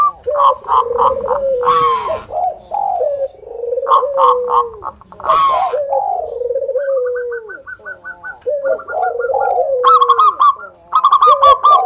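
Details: Local zebra dove song used to draw other doves into singing. Repeated phrases of quick rhythmic coos end in long, gently falling purrs, with rows of higher chipping notes between the phrases.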